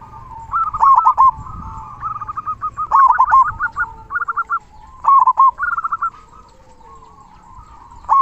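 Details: Local zebra dove with the big 'kung' voice, played to tutor quiet doves: bursts of short, bubbly cooing notes in rapid series, grouped into phrases with gaps of about a second.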